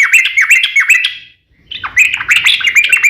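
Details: Yellow-vented bulbul in full song, a long rapid 'ropel' style used as a lure to make other bulbuls sing: bubbly chattering notes with hooked whistles, a brief pause midway, then another busy burst.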